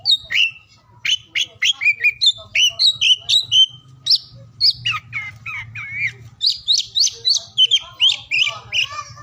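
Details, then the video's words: Song of an oriental magpie-robin, used to stimulate silent or reluctant singers; varied whistles, descending slurs and rising sweeps in quick succession, some harsher notes, low hum underneath. "KICAUAN KACER DI PAGI SIANG SORE HARI UNTUK MERANGSANG KACER BISU DAN MALAS BUNYI AGAR CEPAT GACOR"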